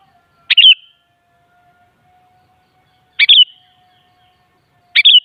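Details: Sooty-headed bulbul (kutilang), a track for making other kutilang sing in reply: three short bubbly phrases, each a sharp note plus a quick warble, spaced about two to three seconds apart, with a faint low hum between.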